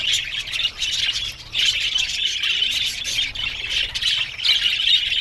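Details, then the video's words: Aviary budgerigars chattering in bursts, loud raspy warbling that briefly drops off twice before resuming at full strength. "Parakeet's Lonely Budgies Sounds"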